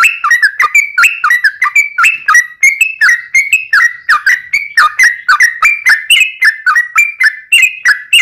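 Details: Sooty-headed bulbul in full, long-running 'ropel' song, used as a lure to provoke other bulbuls into singing. Loud, rapid, bubbly whistled notes in short downslurred and upslurred phrases, about three per second, delivered continuously without pause.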